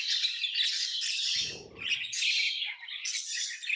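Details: Tame lovebirds give a steady stream of shrill, buzzy chirps and squawks, with a brief low rumble in the middle.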